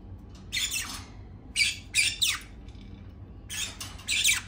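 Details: Pet green-cheeked conure calling to demand to be let out: harsh, screechy squawks in three loud bursts of two or three notes each, separated by short pauses, over a quiet indoor background.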